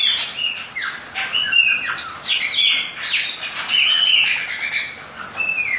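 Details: Rich, continuous song from a Chopi blackbird in the rain, with fluty whistles, rising and falling slurs and quick chips packed closely together over background hiss.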